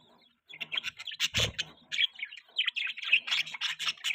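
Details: Budgerigar chirping and warbling in a continuous stream of bright, high twittering notes and short squeaky trills, with a brief low thump near the start of the chatter.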